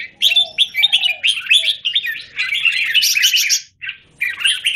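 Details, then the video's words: Caged Red-whiskered bulbul singing in a square cage, recorded 17 Jan 2019: bright, chattering warbled phrases in quick bursts with short pauses, and a faint low whistled note underneath. "Jambul - WingChun mastery of the square cage"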